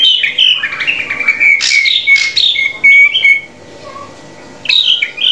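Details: Master song of a drongo for teaching caged birds: loud whistled phrases mixed with harsh rasping notes, a quiet pause with a faint low whistle, then another burst of high whistling.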